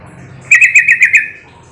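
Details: Sooty-headed bulbul call intended to provoke answering birds: a single rapid burst of about six sharp, bright chirping notes lasting under a second, over a low hum.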